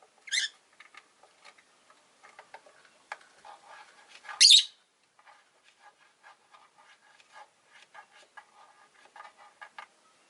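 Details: Five rosy-faced lovebirds caged by a window: two loud, harsh, high chirps stand out early and midway, amid many faint clicks, taps and soft scratchy sounds through the rest.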